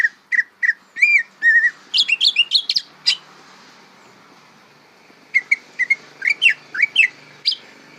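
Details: Young greater green leafbird learning song, opening with a few whistled notes, then a jumble of quick varied chirps and whistles, a silent gap, and more rising and falling whistled notes.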